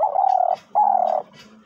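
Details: Captive decoy hunting dove offered for sale, calling in a medium-pitched voice: two smooth, even coos, the first half a second long, the second slightly shorter after a brief pause, in a quiet room.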